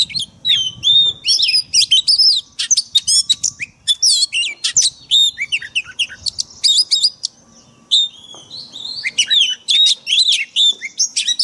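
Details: Oriental magpie-robin pouring out forest-style song, used to train caged birds each day; long, continuous run of loud whistles, buzzy chatter and sweeping slurs with only short breaks.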